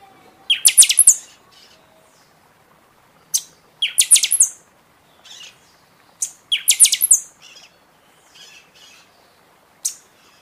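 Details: {'caption': 'Singing buffy-fronted seedeater, recorded to excite caged birds out of the moult: three vigorous bursts of rapid piercing notes about three seconds apart, interspersed with softer chips and single sharp high notes.'}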